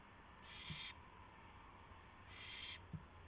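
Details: Night owl call at 2:51 AM, April 2, 2016, during a gopher delivery to another owl. Two rasping, hissy bursts about two seconds apart, with faint soft knocks beneath and a constant low hum.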